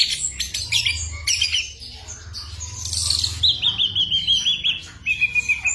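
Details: Ashy drongo song packed with imitations of gunshots and other birds, used for tutoring magpie-robins during moult. It is a jumbled mix of sharp high chips and squeaks, then a rapid string of ringing notes.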